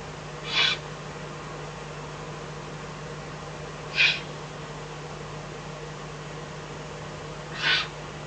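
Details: Eurasian eagle-owl at night in the Eifel on 24 May 2014, a fox provided as food. Three distinct rasping hisses, roughly every three and a half seconds, each brief and breathy, over a constant low hum.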